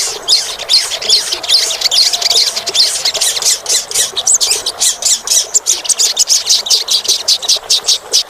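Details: Olive-backed sunbird song used to encourage a caged bird to sing: sharp, high chipping notes delivered in a quick rhythmic series, roughly two to three per second, becoming more evenly spaced toward the end.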